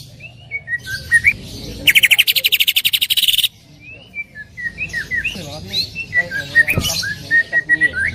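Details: Greater green leafbird, loud chattering song with full 'tembakan' bursts: scattered whistled and slurred notes, then a rapid buzzy trill lasting about one and a half seconds, followed by varied sharp chips and short whistles.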